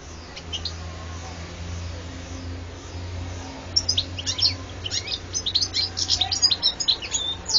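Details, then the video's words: European goldfinch song recorded in 2014, quiet at first, then a lively stretch of high, rapid twittering and chirping notes over a steady low droning hum. "carduelis carduelis 8"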